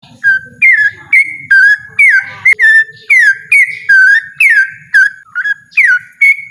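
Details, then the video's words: Yellow-vented bulbul singing loudly and persistently: a rapid string of rich whistled notes, each dipping and then holding a clear tone, about two per second. A low rumbling murmur sits in the background. "burung trucukan ropel ngotot suara lantang"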